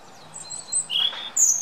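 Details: European robin singing, UK: a quick run of thin, high, whistled notes that shift in pitch, ending on a bright, sweet trill; quiet background.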